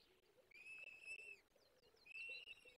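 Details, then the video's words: Peregrine falcon nestlings begging during feeding at a forest nest, Barycz Valley, Poland, 17 April 2024: two drawn-out, steady, high whining wails, each about three-quarters of a second, with a few fainter slurred notes and a soft lower murmur between them. "Karmienie piskląt - 2024 04 17 sokoły wędrowne"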